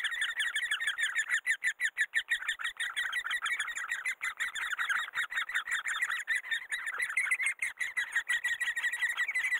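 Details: Great spotted woodpecker raising young: an insistent, noisy chatter of fast repeated harsh notes, about three each second, swelling and dipping slightly but never stopping.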